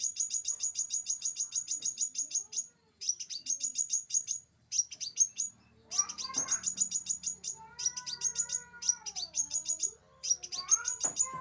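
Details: Tutor recording of scarlet minivet song for caged birds. Fast strings of sharp, high-pitched chirps come in several bursts separated by brief gaps, over softer, lower whistles and warbles from other birds.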